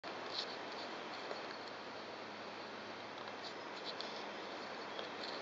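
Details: A nesting female Japanese tit, threatening an observer looking into her nest tube, gives a steady, breathy hissing call, a rushing snake-like sound that runs unbroken for several seconds, with a few faint high ticks over it.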